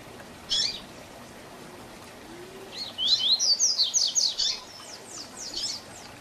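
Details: A double-collared seedeater gives a "tui tui zel zel" training song for young birds. One brief high note comes first, then after a pause a fast run of bright, sliding whistles lasts about a second and a half before it fades into fainter trailing notes.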